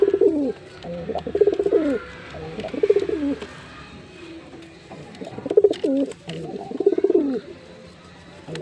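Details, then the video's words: Male Jeera pigeon performing its call: low, throbbing coos around 300–600, in bursts of roughly a second, with pauses between phrases and a faint background hum. "Pigeon Sound Effect (Ultra High Quality) || Male Pigeon Super Performance || jeera pigeon"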